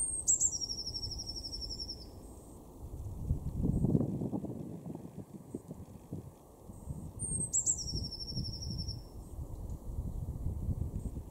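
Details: Blue tit in a garden in Weener, East Frisia, northwest Germany, February 2024: two very high phrases about seven seconds apart, thin sharp notes then a fast, slightly lower buzzy trill, over a steady low rumble of wind or traffic.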